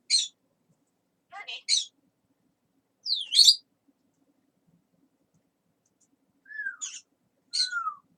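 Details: Talking parrot kept as a pet, uttering scattered sharp high chirps, a few brief clicks, and two smooth whistles that slide downward, separated by silent gaps.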